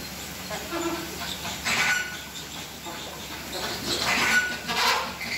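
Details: Chilean flamingos in a captive Slimbridge flock, calling during a courtship dance. Overlapping rough honks come in uneven bursts, loudest around two seconds and again after four, over a constant low hum.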